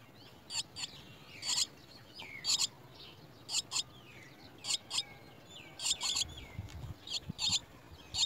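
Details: Nest of Chestnut-tailed starlings, chicks receiving worms: repeated harsh high chirps in doublets and clusters, mixed with faint curving whistles, and a low rumble late on.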